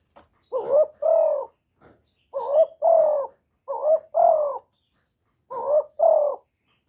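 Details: Spotted dove, a kept bird recorded directly without background noise, calling and cooing: four low, mellow two-part coos, each a short hoarse note followed by a longer rolling one, spaced about 1.5 seconds apart with a brief pause before the last.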